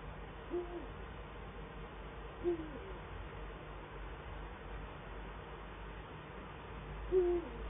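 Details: Eurasian eagle-owl duet, male and female at the Eifel nest, 22 December 2012: three clear, deep hoots about two to four seconds apart, the last one loudest, against quiet hum.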